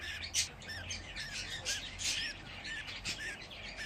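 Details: Budgerigar chicks in their nest box make a steady mass of thin, wavering chirps and harsh squeaks, many birds calling at once with no break.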